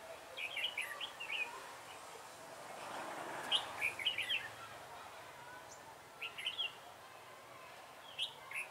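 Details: A red-whiskered bulbul used as a trapping decoy on 3 November 2017 repeats short jaunty warbled phrases, several bursts spread out with pauses, over a background of soft rushing noise.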